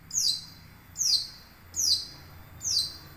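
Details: Young wild long-tailed shrike repeating a high, sharp, downslurred note about once every 0.9 seconds, four times in a row, against quiet background noise.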